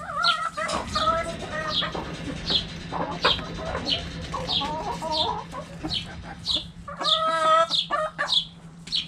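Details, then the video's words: Backyard hens clucking around a hanging cabbage: tonal, slightly nasal clucks in short bursts, a longer drawn-out squawk near the end, and frequent high chirps over a steady hum. "Chicken Sounds Noises Hens Clucking Roosters Crowing!"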